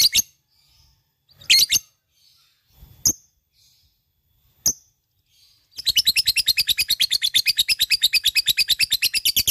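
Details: Lovebird of fighter type: a few separate shrill squeaks spaced apart with quiet between them, then a sudden sustained run of rapid, rasping, high ngekek chatter for the final four seconds.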